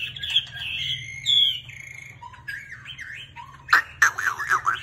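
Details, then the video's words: Chinese hwamei in full plumage singing clear drawn-out whistles and slurred notes that shift in pitch, closing with loud rapid chattering phrases; low steady hum behind. "HOẠ MI HÓT XOÈ"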